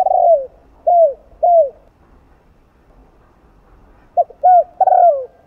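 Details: Spotted dove cooing, the two-ending style used to provoke other doves into cooing; three falling low coos, a silent gap of about two seconds, then a short clipped note and further coos.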